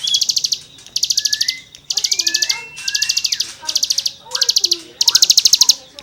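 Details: Cigun song used as tutoring material for songbirds: nearly continuous rapid rattling bursts of high chips, with rising whistles and lower warbling notes from other birds in the gaps.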